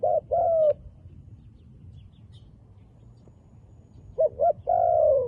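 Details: Wild dove with black-spotted plumage cooing: two low hollow coos at the start, then after a quiet pause a quick double note and a long, steady, slightly falling coo.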